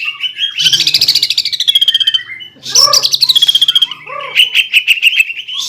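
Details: Greater green leafbird singing in the fierce, vigorous 'nembak ngeroll' style: rapid buzzy rattling trills high in pitch, broken by a short pause and then a fresh burst of fast rolling notes with sliding whistles.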